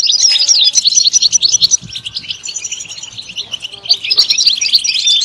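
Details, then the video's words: European goldfinch song for stimulating other goldfinches to sing: fast, liquid twittering of high chirps and short whistled notes, loud and dense, with a few lower tonal notes and faint background rustle. "Comprehensive guide to stimulating and singing the goldfinch"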